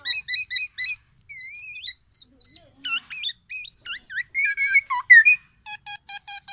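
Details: Black-naped oriole, tame and in full song, giving its loud, characteristic phrases: clear whistled slurs and hooked notes, a drawn-out tone, then quick varied chirps ending in a rapid string of short high pips.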